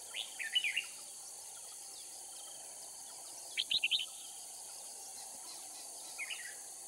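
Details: Red-whiskered bulbul decoy from Cao Phong, used to trap wild bulbuls in Kim Bôi, Hòa Bình, Vietnam; three sparse bursts of quick, chirpy warbled notes several seconds apart, with steady insect hiss and faint speech nearby.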